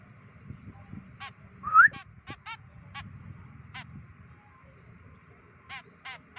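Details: A White-breasted woodswallow on day 25 of free-flight training gives short, harsh, nasal notes in irregular bursts, with one rising whistle early on, over a low background rumble.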